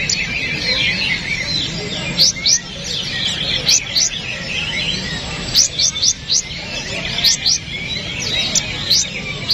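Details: Kapas tembak bulbul singing as training material for songbirds: clusters of high, sharp, rising whistles repeated every second or two, with softer warbling between bursts and a steady hiss behind.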